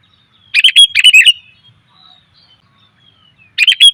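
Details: Female sooty-headed bulbul lure call: a double burst of fast chirps, a thin fading whistle, then one more chirping phrase after about three seconds.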